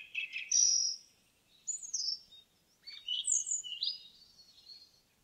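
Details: Forest indigo bunting song: varied high phrases of whistled slurs and upswept notes, some very thin and piercing, given in three bursts with short gaps. No other sounds intrude.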